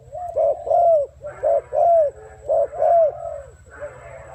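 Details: A spotted dove coos in the 'gù' voice, with bright arched notes that rise then fall, in pairs, over a constant low droning hum.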